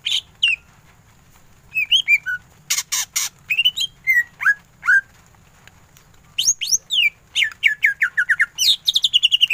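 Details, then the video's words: Greater green leafbird singing hard in full ngentrok style. Loose scattered whistles and harsh buzzy bursts give way to a quickening stream of rapid repeated chirps. "Cucak ijo gacor full tembakan ngentrok"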